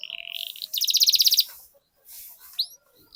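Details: Canary singing to spur other canaries into rolling song: a steady buzzy trill gives way to a rapid, pulsing high rattle, then a pause and a single sharp rising whistle.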